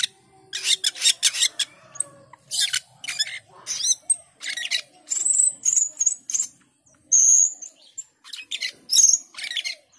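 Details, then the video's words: Asian pied starling in full song: rapid series of harsh chattering notes, then clear high whistles mixed with raspy bursts, continuing for ten seconds. "Jalak keling gacor dor"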